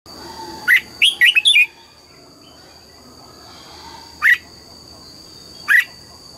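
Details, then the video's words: Red-whiskered bulbul singing in the morning, trained to sing double notes: a single sharp rising note, then a quick cluster of four warbled whistles, followed by two more isolated notes, over a steady high electronic whine. "Luyện giọng chào mào hót sáng, ép chào mào hót âm kép già rừng hay tuyệt!"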